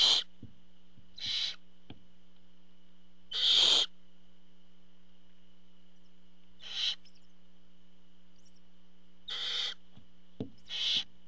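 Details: Barn owls at the nest during a food delivery by the father: about seven short, breathy hisses at uneven gaps, some brief and faint and one longer and louder, over a steady background hum.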